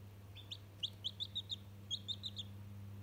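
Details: Day-old chick communicating with a toy gives two quick clusters of bright, sharp peeps, four or five per burst, separated by a short pause; a constant low hum underneath.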